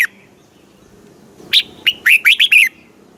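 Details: Red-whiskered Bulbul, a caged Thai bird, delivers one brisk southern master-style phrase meant to excite caged bulbuls and teach chicks. Six rapid, clear, chirpy notes, the first higher and the rest dipping and rolling, follow a second of quiet.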